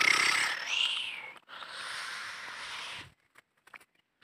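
A black francolin gives a loud, harsh call in two parts: a grating phrase that swoops upward, then a long, hoarse, rasping screech. A few faint clicks follow.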